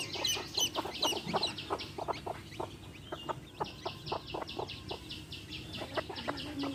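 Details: Hen and baby chicks: fast repeated high chirp trains over irregular low clucking taps, the chicks' peeps running in quick bursts of several notes.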